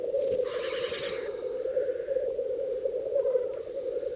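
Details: Cock black grouse at their spring lek in Bažu bog, Slitere National Park, defending display territories: a sharp breathy hiss early on over a continuous low bubbling chorus from many males.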